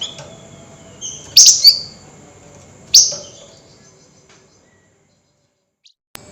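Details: Night-time flameback calling with high emotion in the nyerecet chattering style: a soft lead-in note, then a harsh, high double screech and a single grating burst, before near silence and a couple of faint clicks.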